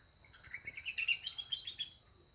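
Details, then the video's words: Canary in full song with learned lovebird phrases: a rising scratchy run gives way to rapid chirping notes of about eight per second over a steady high whine. "Kenari gacor isian love bird"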